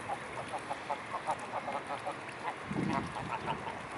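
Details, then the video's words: Mute swans in a flock near Blaues Wunder on 25 May 2016 in the afternoon, giving short nasal honking notes in a steady series about every half second, with a low rumbling noise near the end. "Swan swarm Blaues Wunder"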